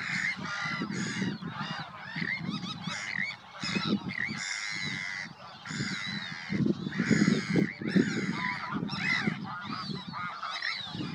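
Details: Sandwich terns at Påarp, Halmstad, Sweden, on 9 July 2024, giving harsh, grating, rasping calls that overlap from many birds at once, over a low steady rumble of wind or surf.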